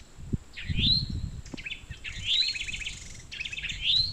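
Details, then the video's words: Towhee in woods, a pair calling back and forth before joining each other in a tree, apparently a mating call, perhaps in September: three quick phrases, each a rising whistled note then a fast stuttering trill, about one every 1.5 seconds, over low rumbling background noise. "Towhee mating call"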